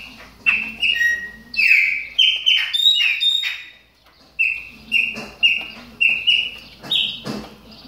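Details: Moulting Chopi blackbird warming up: a cluster of whistled and squeaky notes, a brief gap, then a regular sequence of flat whistled calls.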